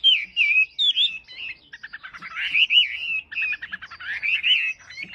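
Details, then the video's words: Lively wambi song mixing sweet warbled whistles with short, rapid ticking notes in clustered bursts, the phrases jumping about in pitch. "Wambi Gacor"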